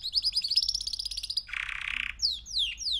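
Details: Male canary, three months old, delivers a quick rolling high trill, follows with a coarse buzzy rattle, and ends with three sharp descending whistled slurs.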